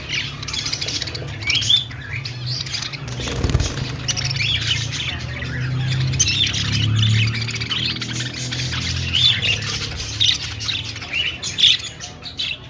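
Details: Group of budgerigars in an aviary chirping and squawking continuously, scratchy high twitters layered over each other, with a brief thump and low rumbling background noise partway through.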